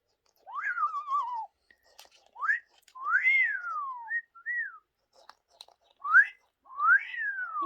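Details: Very talkative Amazon parrot producing a series of about seven tonal phrases, each sweeping up and then sliding down, some wavering, separated by brief pauses, with faint clicks between them.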